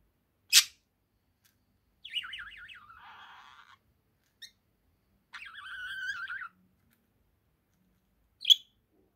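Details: ['Male pet budgerigar, one year old, chattering softly: a sharp click, then a wavering, trilled warble sliding up and down, a pause, and a second buzzy, rolling warble, ending with another crisp click.']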